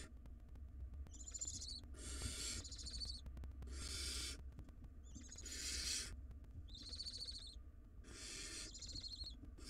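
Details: Wild barn owl nestlings fight over a large rodent inside a nest box, alternating long rasping hiss-screeches with shorter wavering, quavering tonal calls, several per few seconds, over a steady low background hum.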